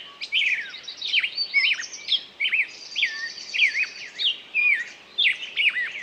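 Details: Songbird sings bright whistled phrases that dip and rise, roughly one burst per second, with a high-pitched buzzy trill in the middle and a low background hiss.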